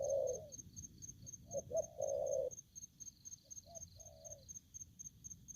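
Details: Aggressive spotted dove decoy cooing loudly at first, deep throaty drawn-out notes in close succession, then quieter short coos, with steady cricket chirps in the background.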